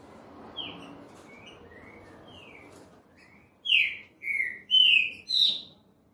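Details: Green-winged saltator singing its classic-style song: faint clear whistled notes at first, then four loud, rich whistled phrases in quick succession, each slurred and about half a second long, over low background hiss.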